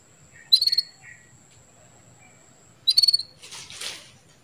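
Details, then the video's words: Female canary calling to stimulate a male into breeding condition: two short, high, buzzy trills of about five quick pulses each, spaced over two seconds apart, followed by a soft rustling noise. "CUITAN KENARI BETINA MEMANCING BIRAHI JANTAN JADI CEPAT GACOR"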